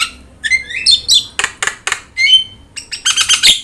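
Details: Brief song of a yellow-eyed Javan myna used as a training master: a few sliding whistles rising then falling, followed by broad harsh bursts and scratchy chatter.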